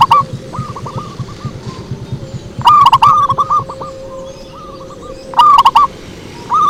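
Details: Zebra dove lure song, with repeated phrases of fast, hooked cooing notes, louder clicked openings and softer trailing coos, recurring about every 2.7 seconds over faint background noise.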